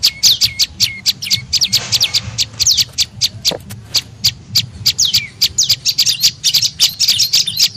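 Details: Prenjak lumut (tailorbird) lure call to attract birds: rapid high chirps and falling notes, briefly broken by a softer rustling sound, then resuming dense chattering.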